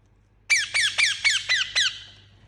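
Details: Indian ringneck parakeet giving six harsh, rasping chirps in quick succession, each a short downward-bending note, evenly spaced about a quarter second apart, with a faint low hum underneath.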